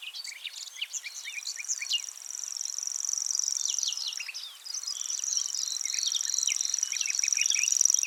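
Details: Common grasshopper warbler, typical of the habitat, gives a high, even, insect-like reel with one brief break in a dune valley near Oostkapelle, Netherlands, under a busy songbird chorus that includes nightingales.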